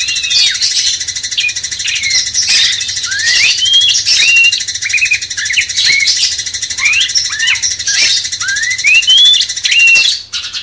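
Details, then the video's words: Sooty-headed Bulbul master song for rousing a magpie-robin: rapid, varied whistles with upward-sweeping slurs and short chirps, delivered almost without pause over a steady background hiss. "Masteran cucak cungkok bangkitkan emosi kacer"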